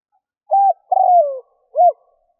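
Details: Spotted dove calling in a 2021 recording made to lure wild doves. A short level coo comes first, then a long descending coo, then a brief arched note, all low and clean against silence.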